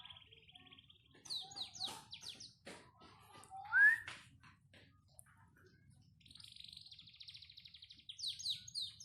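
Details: Panda canary singing in bursts separated by short pauses: rapid buzzy trills, sharp downslurred notes and a bright rising whistle, ending in a fast rattling trill with high chipping notes.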